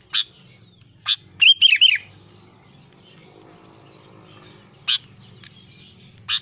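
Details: Albino sooty-headed bulbul singing: one quick, bubbly phrase of looping whistled notes amid scattered sharp, clicking chips, with quiet gaps between.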